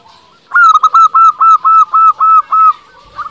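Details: Zebra dove of a local Indonesian strain, sung to make rival doves respond: a steady run of eight to nine clear, ringing coo notes evenly spaced, ending with a faint note after a pause.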